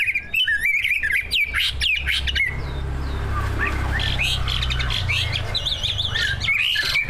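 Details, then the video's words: Competition-winning caged greater green leafbird, one of two birds, delivering rich mimicked song used as a lure to set other birds singing: looping warbled whistles and harsh squawky bursts, a quieter pause midway, then wavering high phrases, low hum underneath. "Kicau burung cucak ijo gacor, prestasi, full masteran. buat pancingan dijamin ikut Gacor"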